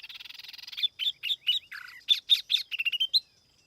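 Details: Tiểu mi laughingthrush song used as a lure, clean without background noise: a fast buzzy chatter opens, then a lively run of short whistled and warbled notes, some slurred upward, in about a dozen quick phrases.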